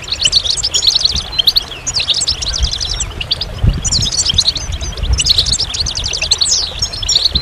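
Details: Goldfinch delivering lively song phrases of quick high twitters and buzzy trills, each run lasting one to two seconds, with a low rumble beneath.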